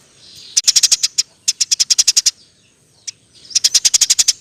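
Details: Eurasian tree sparrow in tight 'roll tembak' chirping for use as master song. Two long strings of rapid, evenly spaced piercing chirps, a lone chip, then another fast run of about eight notes.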